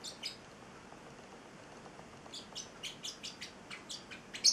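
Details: Celestial parrotlet, a male pet eight weeks old: a couple of soft early chirps, a quiet gap, then a run of quick, evenly spaced high chirps building to a louder final note.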